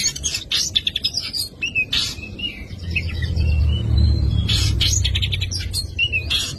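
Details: Oriental magpie-robin delivering a full 'isian' song: rapid chirps and clicks break into sustained whistled phrases, then resume in bursts, while a steady low hum rises in the middle of the recording.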